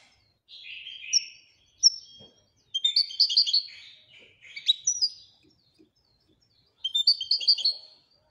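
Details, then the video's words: European goldfinch giving a looser, slower twitter: nasal buzzy phrases mixed with sharp high chips and short trilled clusters, separated by gaps. "Le twitter et chardonneret royalتغريد طائر الحسون الملكي"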